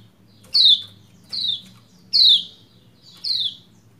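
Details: Female Lombok white-eye call used to rouse a male to sing: four sharp, high, downward-slurred chirps, one roughly every 0.8 seconds, over a low background hum.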